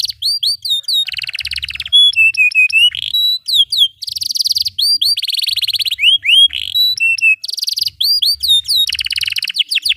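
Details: Long nonstop canary song meant as a model for young birds learning and to restart silent canaries: rapid high trills alternate with rising whistled upslurs and steady piping notes, loud and unbroken for ten seconds.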